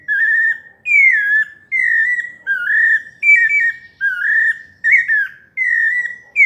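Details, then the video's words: Pale-breasted thrush singing a melodious song in the paulista style: clear whistled phrases near one pitch, each gliding or slightly wavering, given about every 0.8 seconds with brief gaps, clean background. "Sabiá parda paulista canto melodioso"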